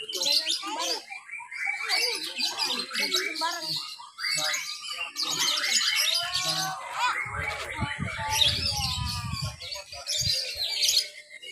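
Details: Lovebirds at a mixed class B practice singing contest in Papua, Indonesia, Sunday 31 October 2021, at an irrigation site; one bird does ngekek, a long chatter, while crawling along the cage bars. Dense, shrill, rapid overlapping chirps and trills, with low rumbling and faint voices.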